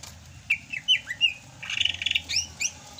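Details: Sumatran greater green leafbird, still singing vigorously in the rainy season. Bright slurred whistles in quick succession, a rapid trilled chatter in the middle, then more rising whistled notes.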